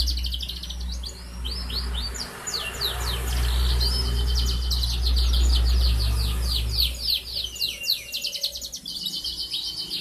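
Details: Canary aged four months, recorded Wednesday 11 August 2021, singing keenly as a lure to get other canaries to sing: long, evenly repeated high chirped notes and trills, with a steady low hum underneath.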